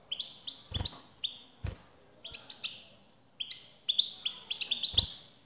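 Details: European goldfinch, female calls that prompt a male to sing: many short, bright rising tweets in loose groups, accelerating into a busy twitter, with occasional taps.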